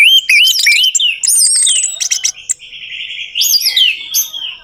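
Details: Dense, varied orange-headed thrush song for luring a silent bird into singing: fast warbled whistles looping up and down, buzzy chatter in the middle, then loud looping phrases again.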